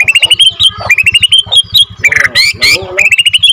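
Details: White-rumped shama of Borneo F2 stock in full song used to provoke other shamas: fast chains of rising whistled notes, interrupted by harsh buzzy bursts near the middle, over a low pulsing background hum.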